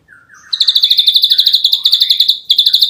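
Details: Ashy drongo singing energetically in the rapid 'nembak rapat' style used as a tutor recording: a few lower slurred notes, then a fast, loud run of sharp, high, evenly repeated chips, about twelve per second, briefly pausing before resuming.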